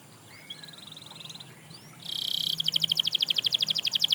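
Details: Canary inspiring others to sing: a faint, soft trilled phrase at first, then from the midpoint a loud, mechanical-sounding rapid trill of evenly repeated notes that continues to the end.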